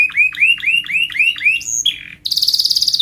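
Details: Canary contest song: a row of rising whistled notes repeated evenly, a brief sweeping phrase, then a high rapid rolling trill.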